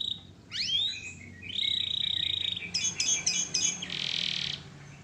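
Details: Canary for masteran training: a rising whistled sweep, a steady buzzy trill, a few sharp high notes and a dense hissing burst, against faint background hum.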